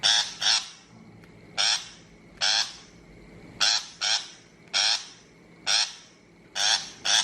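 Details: Shrike calls meant as a lure for bird trapping: grating, buzzy notes given alone or in close doublets, around twelve across seven seconds, with unevenly spaced gaps and a quiet constant hum in the background.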